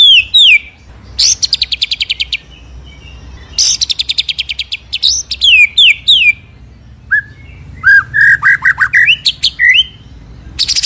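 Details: White-rumped shama masteran song, full 'ngerol nembak': loud descending whistled slurs alternate with fast high trills, then a string of rich fluty whistles rising and falling.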